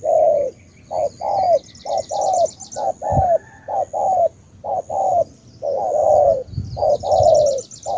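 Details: Spotted dove, a Ca Mau bird from Vietnam, giving rapid paired coos, each short note answered by a longer falling coo, many phrases in quick succession, with a thin high trilling in the background.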